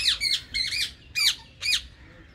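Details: A rose-ringed parakeet in a colony gives harsh, shrill squawks, four bursts in two seconds, each a grating high screech with a bending pitch, with little else heard.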